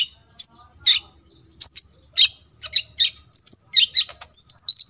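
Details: Olive-backed sunbird singing 'tembakan isian' tutor material: spaced piercing chirps about every half second quicken into a fast sequence, closing with thin high whistled notes over a faint continuous high tone.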